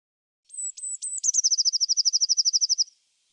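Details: Eurasian Blue Tit, an example recording: three thin, very high drawn-out notes, each dropping sharply at the end, then a fast, even trill of about twenty short notes lasting roughly one and a half seconds. Background is silent.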